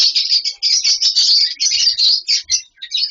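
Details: Steady, dense twittering from lovebirds kept in a colony setup with nest boxes and mud bowls: high squeaky notes run almost unbroken, with a brief gap near the end.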